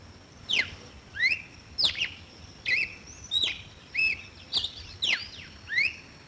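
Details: Clear song of the red-cowled cardinal: evenly paced whistles, each a sharp downward stroke or a rising slur, roughly every 0.7 seconds, with a thin steady hum in the background.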